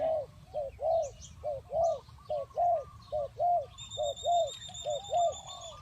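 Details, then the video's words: Spotted dove lure call for trapping: a steady series of rounded coo notes in short groups, repeated more than once a second, while a thin high whistle and faint chirps sound behind. "The Tekukur Pikat Cocok,The Sound of Spotted dove"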